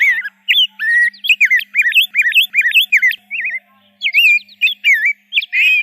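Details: Rose-breasted grosbeak in full song: a fast, continuous string of sweet, looping whistled warbles, each note rising and falling. A brief pause comes midway, then the rolling phrases carry on with no other sounds.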